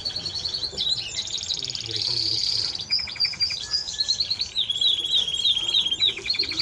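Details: Timbrado Español canary song: fast buzzing rolls give way to lower, evenly pulsed trills, then higher bell-like repeated notes, all delivered without pause over several seconds.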